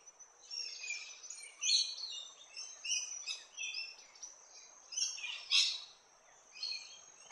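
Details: Large-billed scrubwren, a bird of wet forests along Australia's east coast that forages in small groups among vines and bark, giving bursts of high, scratchy chattering notes in irregular clusters, with quieter gaps between.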